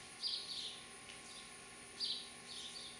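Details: House sparrows at a bird house with parents and chicks, Lenexa, Kansas, July 27, 2012: two bursts of high, bright chirping, each a quick cluster of short notes, about two seconds apart, over a steady background hiss.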